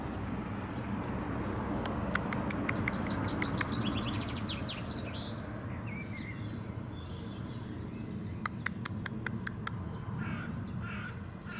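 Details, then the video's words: Common blackbird said to be imitating a turkey: two bursts of about eight sharp, rapid clicking notes, several seconds apart, with soft high twittering in between and a constant hiss of background noise. "Le merle noir se prend pour un dindon"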